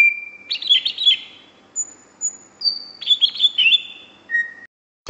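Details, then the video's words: Greater green leafbird, a kept songbird in full song: clear whistles and rapid chattering phrases, a long steady whistle near the start, a thin high note, then varied warbling bursts ending on a level buzzy whistle. "Kicau Cucak Hijau Gacor ..... Sampai Teler"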